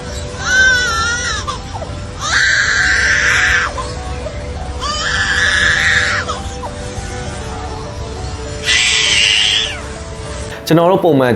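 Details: A lyrebird, a mimic of other forest species' calls, gives four wailing, cry-like bursts, each about a second long, with gaps between them, ending in a quick rising sweep; soft music hums beneath.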